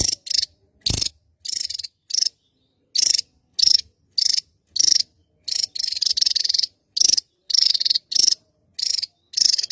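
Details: Java's endemic Javan tesia singing lustily, a long irregular string of loud, grating, high bursts, some closely doubled or merged into extended rattles.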